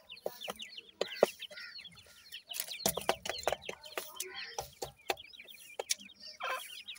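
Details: Francolin chicks heard as a busy chorus of thin, hooked chirps, upslurred and downslurred, rapid and irregular, broken by loud sharp knocks and clicks and a faint background hum.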